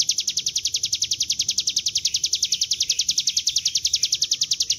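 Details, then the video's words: Bar-winged prinia singing the nonstop ngebren drill used to lure birds into song; shrill, evenly spaced notes at about three and a half per second, sustained without pause over a quiet background. "Pancingan bunyi CIBLEK GUNUNG dengan suara ciblek gunung GACOR NGEBREN"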